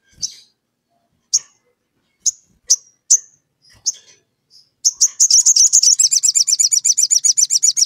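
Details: Vigorous sogon calling a rival, a lure meant to provoke other sogon into singing in the ngleper style: scattered sharp high chips for five seconds, then a fast, rapidly repeated high trill to the end.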